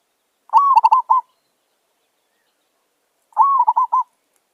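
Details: Merbok or zebra dove, wild, calling during a trapping lure: two phrases nearly three seconds apart, each a rising slurred coo trailed by a quick rattle of short staccato notes, with silence around.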